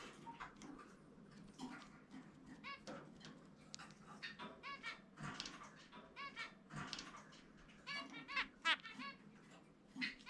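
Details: Indoor free-flight session with a pet zebra finch, whose distinctive song runs as rapid chattering nasal notes, speeding into a busy trill of buzzy pips toward the close.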